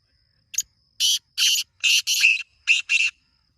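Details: Black francolin (kala teetar) giving a harsh, grating call: one short scratchy note, then six loud rasping bursts in tight pairs and threes over about three seconds. A faint steady high tone runs behind it.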